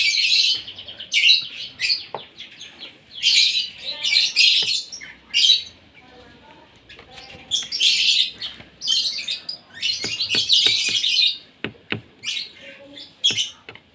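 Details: Asian pied starling at breakfast, fed to keep it singing; repeated loud phrases of harsh, grating chatter mixed with whistles, fill most of the stretch alongside sharp clicking taps.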